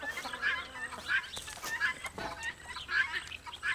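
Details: Rooster with chicks on a farm; repeated short high peeping calls about every half second to second, with some clucking and background farmyard noise.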